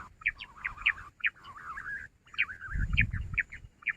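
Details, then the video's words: Jungle bush quail recorded 16 June in a quail-trapping context: sharp, high chirping notes about two or three a second, irregularly spaced over a lower warbling trill, with a low rumbling noise underneath. "jungle Bush Quail sound"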